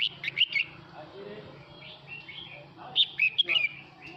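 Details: Singing male red-whiskered bulbul calling its flock: a cheerful phrase of bubbly whistled notes, a pause with faint softer chirps, then a second similar phrase of five or six bright slurred whistles.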